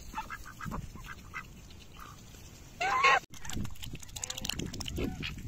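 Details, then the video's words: Two Bali duck sisters eat cabbage leaves in a pond and fight, giving soft scattered quacks, then one loud, harsh, nasal quacking burst midway, over steady rustling and pecking noise; domestic duck. "배춧잎 먹다가 싸우는 꼬꽉이들 / 발리덕 자매 ducks fighting while eating"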